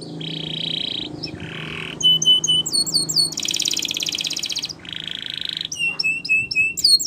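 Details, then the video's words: Gloster canary song used for training young birds: blocks of rapid buzzy trills about a second long alternate with runs of high, sharply slurred whistled notes repeated several times a second, over a faint low hum. "Gloster Canary Singing For Training"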